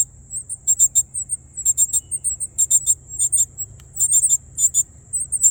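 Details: Baby Northern cardinals calling from their nest in a tree in a North Carolina yard, caught on a cellphone while hungry. Sharp high-pitched chirps bunch into rapid bursts, a low hum underneath and a constant thin tone running throughout.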